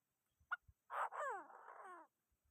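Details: Chinese francolin call given to provoke other birds. A sharp click precedes a harsh double burst, then a long grating note with several descending harmonic sweeps, lasting about a second. Faint low taps before and after.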